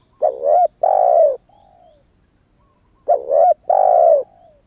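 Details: Young spotted dove, not yet moulted from wild plumage, giving lure calls to draw wild doves: two phrases of mellow coos, each a short double note then a long drawn-out coo fading downward, about three seconds apart, clean quiet background.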